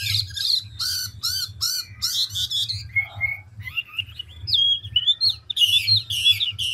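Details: Chinese hwamei of the ngũ trường style, a big mature bird from the forest, switching voices constantly: harsh rasping bursts, then short whistles and rising slurred phrases, with a steady low hum beneath.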